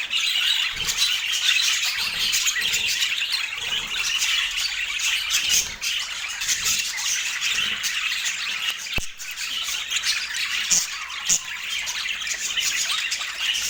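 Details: Autumn morning mealtime for a pet parakeet: long unbroken run of high-pitched scratchy warbling and squawks, with a brief sharp click near the middle.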